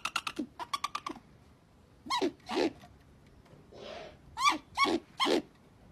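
An owl gives a quick run of sharp, clicking chitters, then five harsh, falling squeals with one breathy rasp between them.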